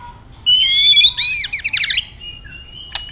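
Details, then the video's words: White-rumped shama in fighting song: a long, clear, rising whistle that turns into a fast run of looping, warbled notes, then a thin sustained whistle and sharp clicks. "chòe lửa chuyền hót đấu nết đập tạch đuôi chắc,kích chòe lửa hót đấu chớm lửa"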